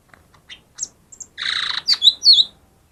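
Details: Lesser green leafbird song used as a lure to prompt quiet birds to sing: soft scattered chirps, then a loud buzzy rasping burst followed by sharp high whistled notes with quick downward slurs.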